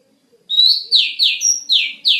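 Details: Oriental magpie-robin (kacer) master song for training songbirds: a long whistle swelling upward, then a run of loud, clear notes each sliding steeply downward, repeated about every third of a second, with faint high overtones.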